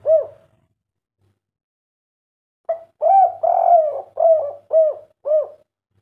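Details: Derkuku or spotted dove, 'kuk 3' style, responding to a played master call: a single hollow coo, a long silence, then a quick series of six low arched coos with a drawn-out middle note.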